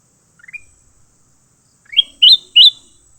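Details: Fighting leafbirds: a few soft, stepped chirps, then after a pause three loud, sharp, rising whistled notes in quick succession.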